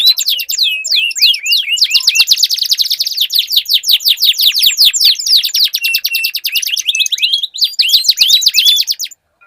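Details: Canary duel, long rolling song: nearly nine seconds of continuous rapid chattering trills, with notes repeated many times per second and overlapping voices, ending abruptly in silence.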